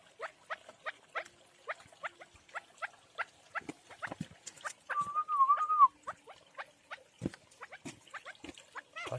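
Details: Partridge chicks raised at home, calling in short chirps repeated roughly three times a second at an uneven pace, with a brief wavering whistle in the middle and a few soft knocks underneath.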